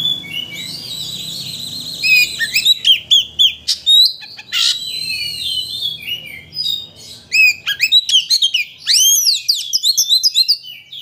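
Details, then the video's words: Oriental magpie-robin (kacer) lure song, played to excite another bird into singing its full repertoire: long run of loud, high whistled notes, rising sweeps and sharp chirps in quick bursts, a brief buzzy phrase, over faint low hum. "Pancingan Kacer Untuk Menaikkan Emosi Agar Mau Bongkar Isian"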